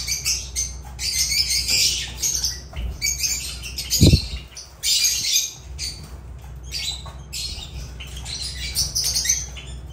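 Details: Chattering group of Agapornis lovebirds producing harsh, high squeaky squawks in clustered bursts, with a single loud thump near the middle and constant low hum beneath.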